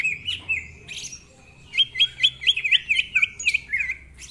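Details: Rough-voiced greater green leafbird in rapid ngentrok-style song, full of varied phrases: a few loose whistles, then a tight string of twisting looping notes repeated about twice per second.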